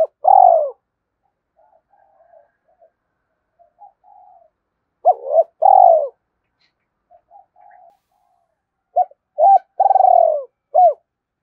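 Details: Spotted dove cooing to excite other doves: three phrases of clipped hollow coos, each built around a long rolling throbbing note, with faint soft murmuring between the bursts.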